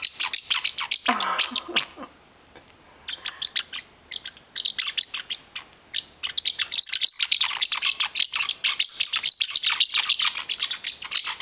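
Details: Pet parrotlet, territorial over his blanket, angrily calling as his owner touches it: rapid harsh high chirps in bursts, a pause around three seconds, then dense scolding chatter; a woman's voice briefly.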